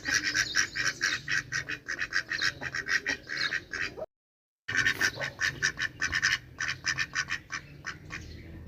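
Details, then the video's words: Noisy chorus of duck quacks, harsh and clipped, coming in fast clusters before and after a short silent gap, the second half slightly louder and busier. "Duck Quack Quack Cute Sound || Quacking Sound Of Duck || Ducks Quack Quack Loud Sound"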